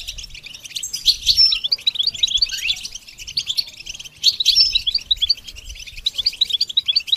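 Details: Goldfinch in song: two twittering phrases of rapid sparkling notes, each opening with a thin whistle and ending in a string of evenly spaced high chips.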